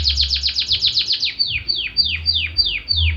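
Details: Belgian canary song made of fast, repeated descending notes that gradually slow into widely spaced, drawn-out downward slurs, each roughly a third of a second apart.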